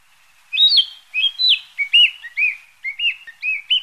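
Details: Narcissus flycatcher, a passage migrant stopping briefly, sings clear whistled notes. Phrases start high and sliding, then drop into lower, steadier whistles repeated about every quarter second, in a quiet background.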